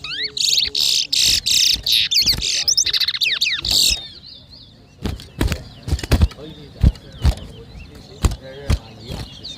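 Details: Towa towa seed finch at a 2023 bird whistling competition in New Amsterdam, Berbice, Guyana: about four seconds of rapid, bright whistled and twittering phrases, then sharp knocks and thumps with faint whistles behind.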